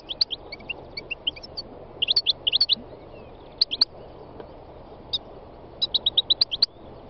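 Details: Wild European goldfinch song made of lively, high, clipped chirps delivered in quick runs and small clusters, some notes repeated in rapid series, with a low droning noise underneath.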